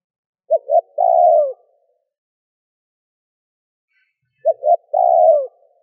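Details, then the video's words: Two matching spotted dove coo phrases about four seconds apart, used to excite a decoy dove. Each is a pair of quick soft notes and then a long, low, buzzy coo falling at its close. "Cu gáy gù - thúc - gáy gọi kích bổi nhanh nổi"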